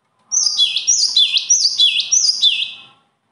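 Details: A bird delivers one continuous run of about five loud, high chirps, each bright note swooping down and curling back up at a steady quick pace. A faint hum sits in the background.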